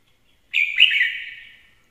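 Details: Red-whiskered bulbul gives a sudden loud phrase of clear, slurred whistled notes that runs together and decays over roughly a second.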